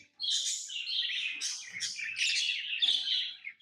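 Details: Lovebirds kept as pets give a nearly unbroken run of shrill, buzzy chirps and twitters, high and bright, lasting a few seconds with no other sounds.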